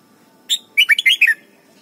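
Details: Thai red-whiskered bulbul singing a model phrase for young birds to learn: a single short note, a brief pause, then a quick run of five bright, warbled whistles sliding up and down, with a faint steady hum beneath.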